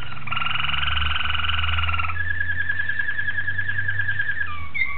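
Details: Malinois Waterslager canary recorded 26 October 2012. A rich, even roll shifts into a thinner, rapidly pulsed bubbling tour, then short rising whistles end the phrase, all above a steady low hum.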